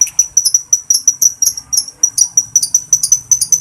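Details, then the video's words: Lovebird from a keeper's own collection, recorded to call other lovebirds and spur them into long chattering (ngekek): shrill, very high chirps fired rapidly, several each second in an uneven stream, with a faint low hum underneath. "suara lovebird memangil kawan"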